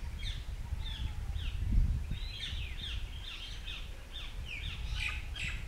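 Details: Wild white-browed fantail at Shakambhari Conservation Reserve in Rajasthan, India: a long series of sweet, descending whistled notes repeated rapidly, some slurred and some sharper, over a constant low hum of background noise.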